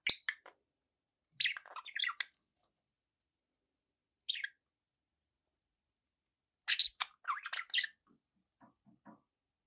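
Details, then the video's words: Sparse budgerigar chirps: brief scratchy bursts separated by silences, ending with a busier cluster of warbling squawks. "budgie sounds"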